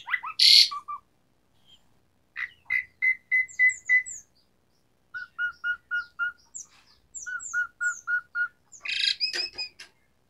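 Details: Asian pied starling (jalak suren) lure for starlings that have gone quiet. One harsh screech comes first. Then come runs of clear repeated whistled notes at steady pitches, with thin high slurs, and a final rasping burst.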